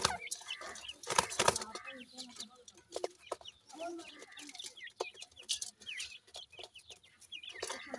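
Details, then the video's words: Grey francolin chicks calling while at play, a stream of short high chirps and V-shaped peeps over clattering knocks and faint background voice. "goray teetar kay goray bachay in the playing,chicks voice"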